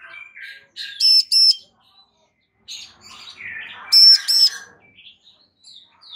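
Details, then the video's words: A female bar-winged prinia calls to a male so that he answers. Two bursts of paired loud, piercing high notes sit among softer twittering and scratchy chirps. "Ciblek BETINA GACOR Memanggil Ciblek JANTAN Agar NYAUT GACOR"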